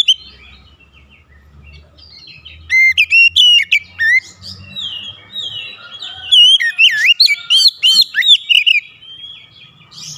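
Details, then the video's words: Oriental magpie-robin song challenging a rival, used as a lure: after quiet low hum, clear loud whistled notes start near three seconds, sharp rising and falling phrases in two bursts. "PANCINGAN KACER LANGSUNG GERTAK LAWAN"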